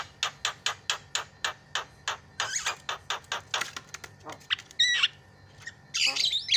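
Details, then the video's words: Javan myna master song to stimulate a non-singing myna: a regular string of dry clicking notes, then harsh rasps and squeaky whistled fragments over faint background hiss. "MASTERNYA JALAK KEBO PALING MENGGODA"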